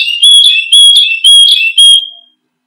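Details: Singing canary meant for luring and tutoring other songbirds: four loud, pure whistled notes at a high steady pitch, each joined by a short lower slur, ending in a drawn-out fading whistle.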